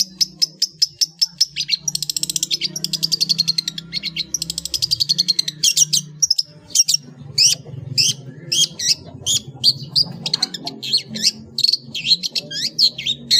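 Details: Long-tailed shrike giving a dense 'ngeplong' song full of fill-ins, meant as a training master for cage birds. A long run of rapid chattering and buzzy trills gives way to varied sharp chirps, over a steady low hum.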